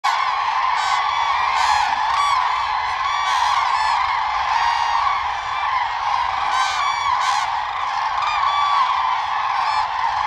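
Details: Common cranes in the mating season, dancing with wing-spreading, jumps and head bows while calling; a dense chorus of many overlapping trumpeting, honking calls with sharp bursts every second or so over a steady rolling roar.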